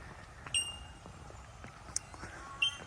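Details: Beside the river on the Great River Walk at Penrith, where bellbirds are increasingly heard, Bell Miners give short, very high, pure ringing single 'tink' notes like a struck bell, three in under three seconds, over soft hiss.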